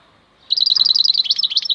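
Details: Maknine khalwi, a wild European goldfinch, bursts into a quick, high twittering phrase of rapidly repeated liquid chips that ends in slightly lower, varied notes. Nothing else is audible.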